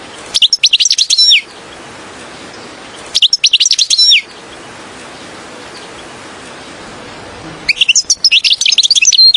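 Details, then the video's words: European goldfinch song used as a lure for trapping goldfinches: three bursts of rapid, tinkling, high twittering phrases with quick up-and-down notes, each about a second long, separated by quiet pauses. "من أقوى تغاريد الحسون يجلب لك الكثير من طيور الحسون إليك"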